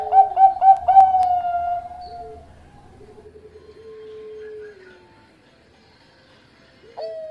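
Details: A Bangkok-type zebra dove sings loud and close, recorded as a master for training doves: rapid pulsed coos slide into a long, drawn, gently falling hum, then fade, and a short clipped note follows after a pause.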